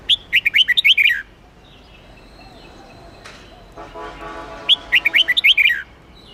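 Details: Red-whiskered bulbul, Hue variety, in contest-song training to fire up wild-caught birds: two bursts of rapid, ringing slurred whistles with a low buzzing tonal sound between them.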